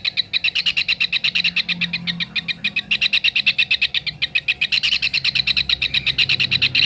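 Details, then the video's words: Kingfisher calling in a tutor recording meant for training songbirds: a fast, steady chatter of sharp, harsh notes, roughly seven per second, running without a break from start to end over a faint low hum. "Tengkek raja udang masteran untuk burung kicau"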